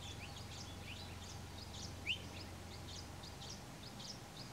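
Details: Palila group resting in a tree on Hawai'i's Big Island at 7:29 am on 20 July 2015, giving soft, high slurred call notes, scattered and repeated, with one clearer upslurred whistle midway, over a steady low hum.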